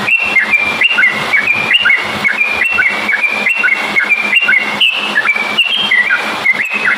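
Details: Vigorous yellow-vented bulbul song used to draw other bulbuls into singing: a continuous chain of bubbly whistled notes, rising and falling, over constant hiss and a low hum.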